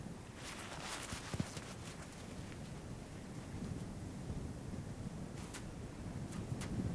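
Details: Rumbling wind noise buffets the microphone throughout, with a few brief crackles and no animal voice.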